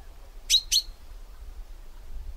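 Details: Common chaffinch (Fringilla coelebs) call: two sharp, metallic 'pink' notes about a quarter-second apart, over a faint low background rumble.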